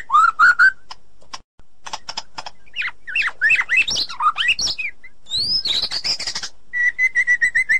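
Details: Forest-dwelling white-rumped shama with a loud song: whistled notes, scratchy chatter and high swept notes, ending in a row of steady, level whistles.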